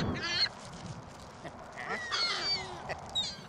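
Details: Gulls at a shopping mall on Christmas Day 2014, very windy. Scattered nasal squealing calls, one at the start and a cluster in the middle, rise over a steady gusty wind hiss.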